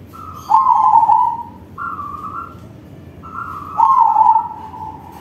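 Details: Crossbred zebra dove in loud song, its warbled, trilling coos preceded and interleaved by a second dove's higher, even-pitched notes, the two calling in quick succession.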